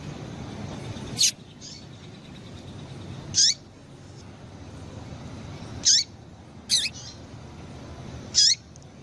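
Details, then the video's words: Female Double-collared Seedeater calling to excite males: five short, high, down-slurred chips spaced one to two and a half seconds apart, with faint background hiss. "Piado de Fêmea de Coleiro para Esquentar Coleiro"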